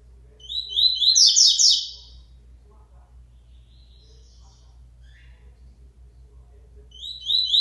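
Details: A double-collared seedeater, born in the region, resumes singing after its moult with a loud burst of fast, high, repeated chirps, then a quiet gap with faint scattered notes before another phrase begins; a low hum throughout.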